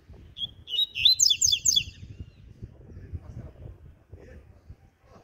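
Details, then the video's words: Double-collared seedeater singing in the morning, its song style called ziper: one fast, bright phrase of high, clipped, zipping notes lasting about a second, over a faint low rumble. "BOM DIA DO COLEIRO ZIPER"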